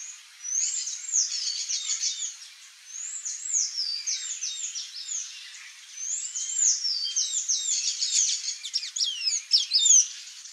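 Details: Palm tanager song: bursts of rapid, thin, squeaky slurred notes run together into high twittering phrases separated by brief pauses, growing busier toward the end.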